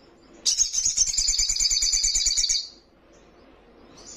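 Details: A young Little Spiderhunter (sogon trotolan), described as highly vocal and rival-provoking, delivers one rapid, high, buzzy trill lasting about two seconds that ends abruptly, followed by quiet.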